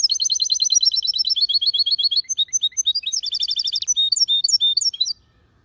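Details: Loud, clean song of a European goldfinch hybrid: a fast trill of repeated bright notes, then varied chips and twitters, a short rattling burst and more high tinkling notes before it stops.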